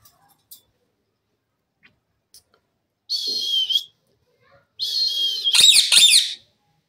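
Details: A pet Indian ringneck parakeet talks, uttering two short, high, whistly speech-like phrases, the second ending in harsh clipped notes, in quiet surroundings. Rose-ringed parakeet.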